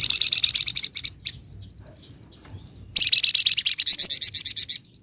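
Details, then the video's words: High, rattling 'ngebren' song of a flamboyan: a loud burst of quick chattering notes, a quiet gap, then a longer run of rapid, evenly spaced sharp notes that speeds into a dense trill. "Burung FLAMBOYAN GACOR Ngebren Rapat Full Nyecret"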